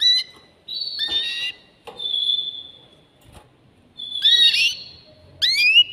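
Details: Excited male canary trying to prompt a female to mate, giving scattered phrases of long level whistles, brief buzzy bursts and rising slurred notes with quiet gaps between them.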